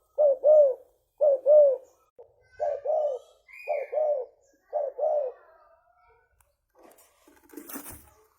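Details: Lure recording of a hobby spotted dove, tekukur leopard: deep paired coos, each double note rising and falling, repeated roughly every second for five seconds, then quieter, with a brief clatter near the end.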